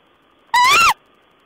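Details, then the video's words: Owl recorded on 14 April 2010 giving a single loud, harmonic-rich call lasting under half a second, rising slightly then dropping at the end, against a quiet background. "Owl's talk."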